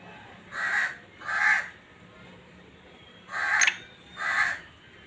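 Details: A black francolin calls in the breeding season with harsh, gravelly notes in two pairs, each pair close together and the pairs separated by a long pause, with a thin sharp click during the third note.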